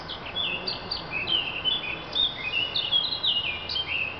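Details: Thrush singing a rapid run of clear whistled notes, sliding and fluttering phrases at high pitch, delivered almost without pause over a soft background hiss.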